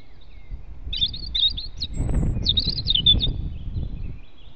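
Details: European robin singing near its nest in forest at dawn on 8 April 2016, delivering two rapid phrases of thin, high, jumbled twittering notes over a constant low rumble.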